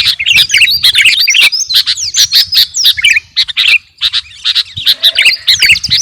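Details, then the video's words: Lively kutilang garuda, a sooty-headed bulbul, recorded as training song for captive birds: dense chirps and harsher squawky notes in tight bursts, a short lull around four seconds, then choppy chirping again. "KUTILANG GARUDA GACOR..!! SIAP TEMPUR KICAUAN"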